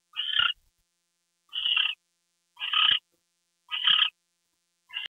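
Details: Owl at night, 10:43 PM on 2 February 2013, as a gopher is brought in as prey. Harsh, hissing bursts of about half a second each repeat roughly every second, with silence between them.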